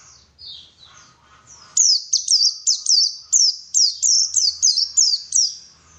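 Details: White-eye song used as a lure to make other white-eyes sing actively: faint high twittering, then a loud run of about eleven sharp, very high notes, each dropping quickly in a slurred chirp, delivered rapidly and evenly.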